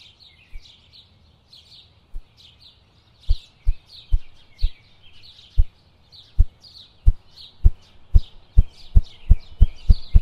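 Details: A wild ruffed grouse drums in its forest habitat with deep, muffled thumps that start slow and speed up into a rapid roll, while small songbirds chirp and twitter high above.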